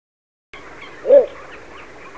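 A Little Bittern gives a single short, deep, barking note over faint background hiss.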